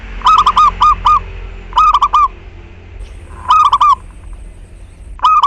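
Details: Local zebra dove, used as a lure for other doves to start singing, delivers a busy series of quick rolling coo bursts, one close after another, with a thin high steady tone in the background.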